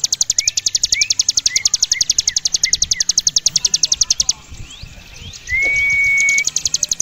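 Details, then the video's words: Ciblek gunung (Javan prinia) singing vigorously in the long drilling ngebren style with high and low parts, kept as a tutor song for contest birds: a fast, even train of sharp high ticks, with brief rising whistles and one long flat whistle. "Ciblek gunung gacor ngebren atas bawah mental juara"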